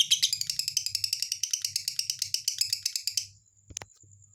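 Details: Lovebird giving a rapid, rattling series of high, scratchy chirps for about three seconds, ending abruptly with a sharp click and near silence.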